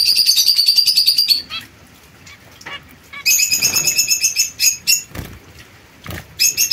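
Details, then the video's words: Young pair of captive zebra finches, white female and mosaic-coloured male, kept apart from other birds to avoid inbreeding; rapid runs of nasal, buzzy beeps repeated in fast series, with short pauses between bursts. "Coppia giovane del diamante mandarino"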